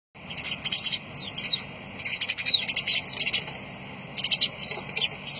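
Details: Lovebirds giving shrill, high-pitched chirps in short bursts, with quick sharp notes and brief downward-sliding squeaks, pausing between clusters, over a constant low hum.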